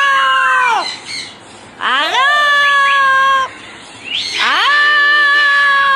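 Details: A pet Double Yellow-headed Amazon, a talking parrot, gives three loud, drawn-out, voice-like utterances, each swooping up then holding steady, about two seconds apart.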